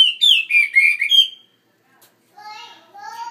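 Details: Caged Chinese hwamei in a bigger cage delivering a loud, rich whistled phrase of slurred, warbling notes for about a second and a half. A pause follows, then lower, drawn-out harmonic sounds.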